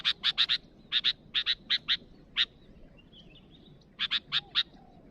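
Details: Sooty-headed bulbul calling to rivals with a rapid series of harsh, scratchy chips in clusters of two to four, then a faint thin whistle mid-clip, against a low noisy background.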